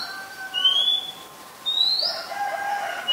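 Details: Oriental magpie-robin, a very common resident, filmed 18 April 2022 in Ubon Ratchathani, Thailand, on a Nikon P1000: two clear, high whistled notes rising sharply, separated by about a second, over a faint hiss.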